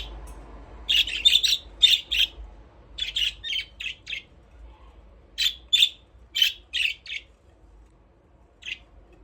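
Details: Budgerigars at play in their aviary deliver strings of rapid, grating chirps, dense at first, then thinning to a few spaced notes near the end.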